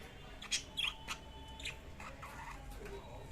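Budgerigars give short, sharp chirps and scratchy squeaks in quick, irregular bursts.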